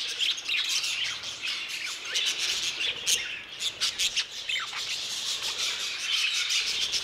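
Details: Aviary of budgerigars: a busy flock chorus of scratchy squawks, quick chirps and warbled notes overlapping continuously, with short rising and falling whistles.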